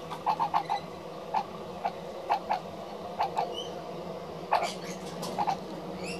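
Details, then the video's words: An adult magpie, which makes weird noises when other adult magpies are around, gives short, nasal clicking notes in irregular bursts, some in quick doubles and triples, over a low steady hum and faint high whistles. "Magpie Making Strange Sounds"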